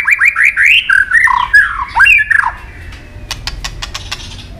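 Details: A white-rumped shama sings competitively: a quick run of rising whistled notes, descending slurred phrases, then quieter sharp clicks spaced through the last second.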